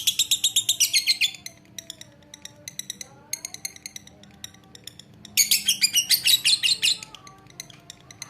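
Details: Lovebird chatter in bursts: a quick run of harsh high chirps, scattered softer ticks and short notes in the middle, then another dense burst of rapid chirping before trailing off.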